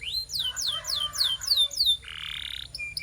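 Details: A canary's training song: six clear high downward-sweeping whistles in a steady run, followed by a harsh buzzy note held for about half a second.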